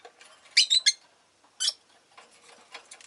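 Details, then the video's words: Kept rosy-faced lovebirds calling busily on a lively day: a quick cluster of three harsh, shrill chirps, a single rasping note after a short pause, then quieter scratchy chatter underneath. "この日はみんな割とよく鳴いてました【Lovebird Chirping Sounds"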